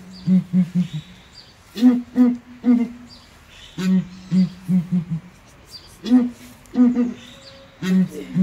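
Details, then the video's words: Deep resonant booming from Southern ground hornbills kept in a small cage at ARTIS zoo, higher and lower voices alternating in short phrases of two to four booms over about eight seconds. "𝐒𝐨𝐮𝐭𝐡𝐞𝐫𝐧 𝐠𝐫𝐨𝐮𝐧𝐝 𝐡𝐨𝐫𝐧𝐛𝐢𝐥𝐥𝐬 𝐣𝐚𝐦𝐦𝐢𝐧𝐠 𝐭𝐨𝐠𝐞𝐭𝐡𝐞𝐫"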